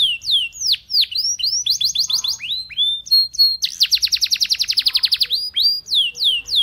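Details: A Belgian canary's song, meant to invite other canaries to join in, mixes high swooping whistles and short trill bursts before a long, very rapid trill of evenly repeated notes, ending in more sweeping phrases.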